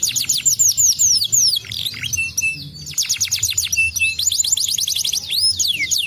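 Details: Lively canary song meant to coax other canaries into singing, with fast rolls of descending chirps interrupted by short steady whistled tones, then resuming quick rattling trills; low background noise.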